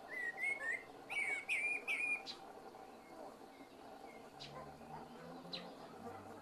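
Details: Common blackbird singing slowly in the evening: a run of bright, warbled fluty whistles with high twittery tails for two seconds, then softer distant notes, sharp chips and a low hum in the background.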